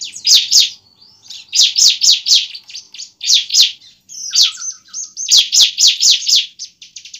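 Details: High, piercing bar-winged prinia fighting song, a lure to bring a young bird into song: clusters of three to five loud sharp chips alternating with thin trills, repeated in steady bursts.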